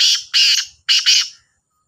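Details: Black francolin, kala Sindhi teetar, one of two birds calling in competition; harsh, grating, high bursts in two double-pulsed phrases under a second apart, then quiet.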